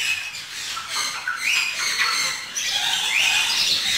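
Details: A lory eating dragon fruit gives harsh, scratchy squawks in quick, uneven bursts, high-pitched and grating, with a steady hiss of background noise.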